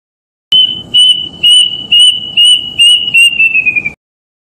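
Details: Plaintive cuckoo (kedasih) of the forest, recorded in the wild as a lure: a series of eight sharp, clean whistles on one high note, evenly spaced about twice a second, descending slightly at the close.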